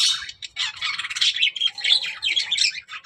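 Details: A short run of budgie talk: rapid, squawky, buzzing chatter with thin whistled glints, high and continuous, loudness pulsing several times a second.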